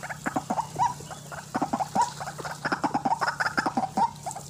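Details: Lure call of a white-breasted waterhen for bird trapping: clustered, clipped nasal notes with short upward-slurred yelps, repeated in quick bursts with brief pauses, over a low steady hum.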